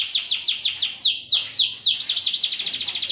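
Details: Vigorous canary (kenari gacor) with cengkok mewah variations, opening with quick high sweeping notes, then slower drawn-out downward slurs, ending in a fast even trill.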